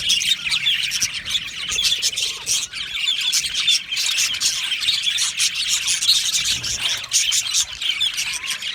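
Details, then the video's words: Australian budgies in an aviary colony, a dense overlapping chorus of high chirps, squawks and warbling chatter from many birds at once, continuous without pauses, with no other clear sounds. "Australian Budgie parrot chirping sounds"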